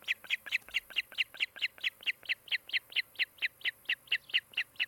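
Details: An osprey at a nest in Charlo, Montana, on the afternoon of 16 July 2018 gives a steady run of about twenty short, high, whistled chirps, roughly four a second, over a faint low hum.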